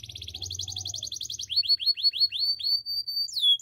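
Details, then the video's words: Canary training song passage: a dense fast trill of high notes, then a sequence of short downward-sliding whistles repeated about three per second, ending in a sweeping high phrase; faint low hum underneath. "Canary training song"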